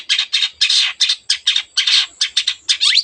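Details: Rapid harsh rasping from an energetic Long-tailed shrike, about a dozen scratchy bursts in three seconds, part of a song rich in other birds' sounds, ending with a rising squeal.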